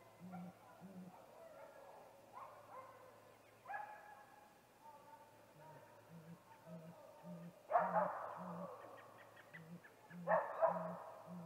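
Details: Evening calling by a male great gray owl before a nest visit at a snag tree nest, 21 April 2019. A long run of low, soft hoots repeats steadily, interrupted by two strong, rough bursts and faint higher notes.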